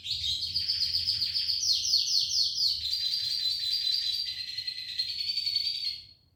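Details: Red siskin singing in gacor isian style: a fast, rattling high trill running into a sustained, sweet twittering warble that stops abruptly near the end.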